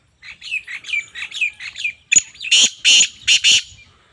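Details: Female black francolin giving a run of about eight soft, rising chirps, then a sharp click and four loud, rasping, broadband notes delivered in two quick pairs.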